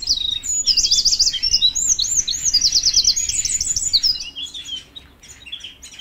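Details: Canary song: fast, high rolling trills run almost continuously, with looping warbled phrases strung together for about four seconds before the song thins into scattered soft chirps, with more birds chirping faintly in the background.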